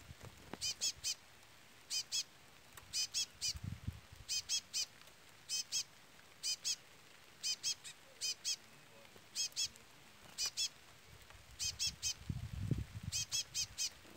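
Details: Chestnut-bellied seed finch (curió) setting with a brown-plumaged bird and a chick peeping throughout: faint, high, thin peeps in quick clusters of two to four, repeated every second or so over quiet, low rumbling background.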